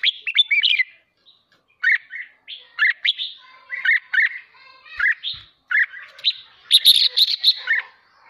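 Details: A Red-whiskered bulbul in captivity, excited into intense competitive singing, delivers a steady run of quick clear whistled phrases, each rising and falling, spaced roughly half a second to a second apart.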